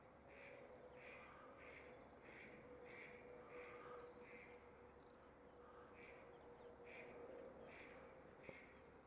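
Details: Rose-ringed parakeets near their nest in February, where the pair mates and the male feeds the female. Harsh screeching notes repeat rapidly in bursts, with a short pause midway, against a constant low hum.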